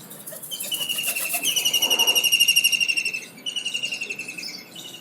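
A kingfisher gives a loud, shrill rattling trill of rapid piercing notes that sags slightly in pitch, pauses briefly, then starts up again.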